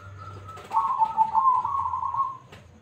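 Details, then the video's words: Local zebra dove (perkutut) singing loudly, offered as a lure to draw other doves into song: one sustained, mellow cooing phrase with a wavering, slightly bubbling tone lasting nearly two seconds, set in a quiet indoor space. "Perkutut Lokal Gacor Suara Besar - AMPUH Buat Pancingan"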